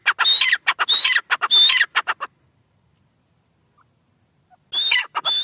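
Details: Francolin call: bursts of loud, rasping, rhythmic notes with a thin whistled tone woven in, a two-second silence, then the harsh series resumes.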